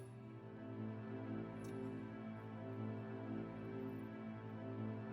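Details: Soft, sustained ambient music with steady low tones and no animal sounds.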